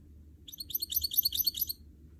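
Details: A canary x goldfinch hybrid (goldfinch mule) sings a rapid, high, bubbling twitter lasting just over a second over a faint steady background hum.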